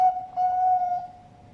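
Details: A Bangkok-type zebra dove (perkutut) at a bird farm in Sidoarjo, East Java, Indonesia, gives a short clipped note, then a long, smooth, flute-like coo that holds a steady mid pitch and slowly fades.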